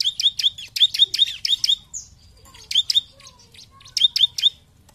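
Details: Bar-winged prinia lure song meant to make rivals sing: rapid bursts of sharp, high chirps in runs of about six notes, pausing briefly between runs, loud and clear.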